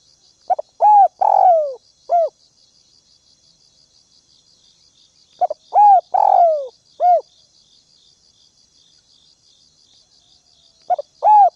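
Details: Decoy spotted dove calling to lure wild birds, cooing phrase of quick double note, long rough descending coo and short closing coo, given three times roughly every five seconds over steady pulsed insect chirping.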